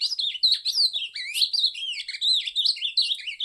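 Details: Cariri ultramarine grosbeak pouring out a bright, continuous warbled song, with looping whistles that swoop up and down in quick succession and a few soft clicks beneath.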